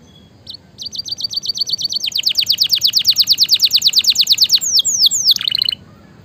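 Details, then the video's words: Canary singing in a training and stimulation recording for lazy canaries: a few sharp notes leading into a long, quickening trill of descending whistled notes, ending with downward slurs and a brief buzzy flourish. "suara masteran dan pancingan burung kenari gacor"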